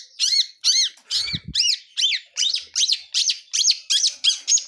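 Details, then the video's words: Long-tailed shrike of the blangkon type, wild, in full-fill song: evenly repeated arched, squeaky high notes, nearly three per second, with one brief low thump early on. "Kicau Burung Cendet Alam"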